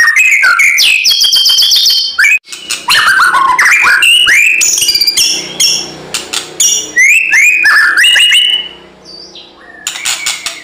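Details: White-rumped shama in fighting song: a long, almost continuous stream of loud rapid whistles, chatter and slurred notes varying widely in pitch, fading near the end before resuming.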